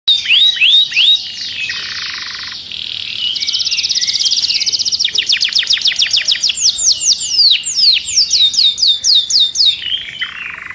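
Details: Caged canary singing in an agitated state: rapid runs of high descending whistled notes, buzzy trilled rolls and repeated chirps, changing phrase every second or two, loud and continuous.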